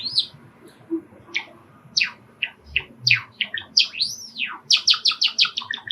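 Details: Sakura Java sparrow kept as a pet sings at home while sparrows call from a park outside: spaced falling chirps, a drawn-out rising-then-falling whistle, then a fast rattle of clicky notes.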